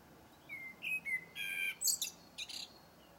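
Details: Short blackbird strophe: a couple of clear fluted whistles, then bright, harsh high squeaky notes in quick succession.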